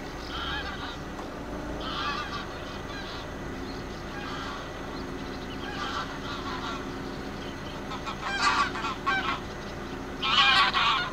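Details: Greater scaup (Aythya marila), recorded 19 April 2022: harsh, nasal, honking calls about every two seconds, ending in two louder, rasping bursts over a steady low rumble of background noise.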